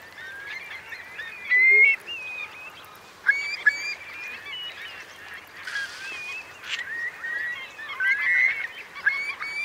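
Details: Eurasian curlews, a roosting flock of around 3,000 sheltering in the wet meadows of Marquenterre, Bay of Somme, during a high-coefficient high tide on 7 October 2021. Many overlapping whistled, rising calls, with several louder nearby birds standing out.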